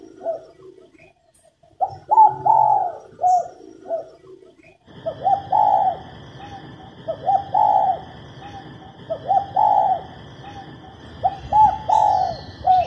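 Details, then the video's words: Repeated cooing of a female spotted dove, meant to excite males to sing. The same soft phrase of short and long coos recurs every two seconds or so, with a steady background hum and whine joining midway. "Cu mái gáy kích bổi nhanh nổi, kích trống gù khách"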